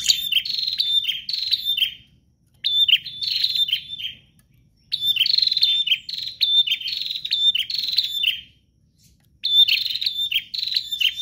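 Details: Prinia singing nonstop in 'gacor' style, with phrases of fast, high, buzzy chirps lasting about two seconds, separated by short silences, repeated four times.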